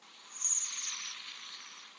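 A waxwing gives a high, thin, trilling call, a short silvery buzz that fades out over broad background hiss.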